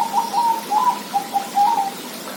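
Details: Zebra dove singing a quick series of soft, mid-pitched cooing notes, about eight short coos run together in under two and a half seconds.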